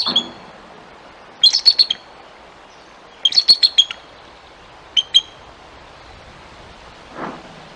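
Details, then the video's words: Bald eagle guarding its fish at the Decorah nest, 7 July 2022, against a young juvenile perched nearby; three sparse bursts of high, squeaky chittering notes separated by quiet pauses, with a faint low sound near the end. "Eagle guards his fish from Intruder!"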